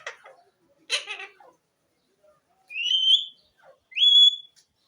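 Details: Green ring-necked parakeet, a talking pet parrot: two short speech-like chattering bursts, a pause, then two clear rising whistles with a slight upward slur, each about half a second long.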